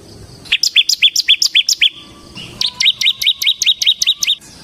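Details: Bar-winged prinia, semi type, singing loudly to lure and tutor other birds: two rapid series of short high chirps, each note dropping sharply, separated by a brief pause, with a faint low hum behind.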